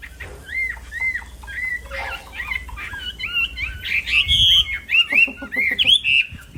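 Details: Black-throated laughingthrush singing for songbird training: repeated arched whistles at first, then a dense, chattering run of bright whistled notes over soft background noise.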